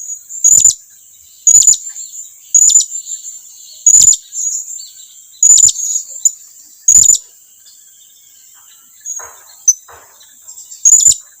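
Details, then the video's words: Blue-crowned hanging parrot calling its companions to come closer: very high, thin, sharp notes given singly, about seven over the stretch, at irregular gaps of one to two seconds. "suara serindit lagi memanggil kawannya agar datang mendekat"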